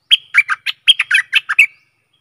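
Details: Stripe-throated bulbul song used as a decoy for luring aggressive wild birds: a quick bubbly run of about nine short, warbled notes over under two seconds, with some slurred upward whistles, in clean silence.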